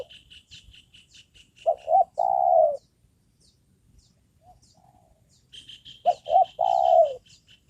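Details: Spotted dove kept as a trained decoy for luring wild birds, heard giving two low cooing phrases. Each is a quick double note and then a drawn-out coo that drops at the end. A steady high chirping runs in the background.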